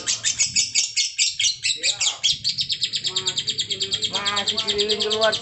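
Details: Lovebird giving a long-lasting trill: a continuous, rapid, high chattering with notes repeated several times a second, steady throughout, while people talk quietly in the background.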